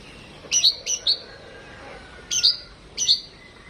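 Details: Captive home-bred Oriental magpie-robin (kacer) giving short, bright, sharply rising and falling whistled phrases, paired and well spaced, over a quiet background.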